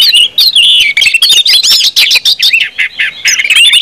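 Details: Orange-headed thrush in full continuous song, a rich, rapid warble of varied whistles, trills and slurred phrases, loud and high-pitched with hardly a pause; a recording used to prompt other birds to sing.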